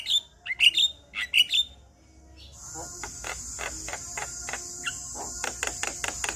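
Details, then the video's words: Male Javan myna song that sets other Javan mynas singing: a few bright whistled notes at first, then a steady train of dry clicking bursts over a constant high hissing background. "Semua Jalak Kebo Balak LAngsung Bunyi Dengar Kicauan Jalak Kebo Jantan Ini"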